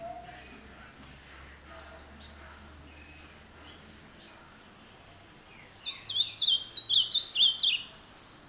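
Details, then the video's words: Ultramarine grosbeak singing a lot, one fast warbling phrase of high, jumping whistled notes near the end after quiet moments with only faint distant notes and low hum. "canta muito este azulão"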